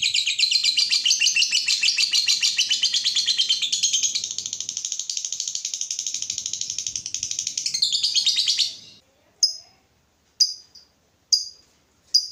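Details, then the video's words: Lovebird in lively song, played as a model for other lovebirds: long rapid buzzy chatter lasting about eight seconds, then it stops and four short sharp chirps follow about a second apart. "Pancingan lovebird terbaik bikin lovebird anda panas"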